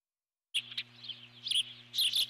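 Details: Eagle on its nest giving alert calls as a large intruding bird flies past. After half a second of silence come high, thin chirps, with a steady low electrical hum underneath.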